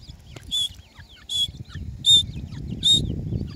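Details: Grey francolin with chicks: four short, loud, piercing whistled notes about three-quarters of a second apart, with faint thin chirps between them over a low rumbling background.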